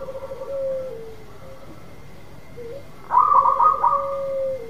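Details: Local zebra dove singing steadily, used to coax a silent dove into song: a long low coo fading downward, then a bright stuttered burst of quick higher notes sliding into a sustained lower coo.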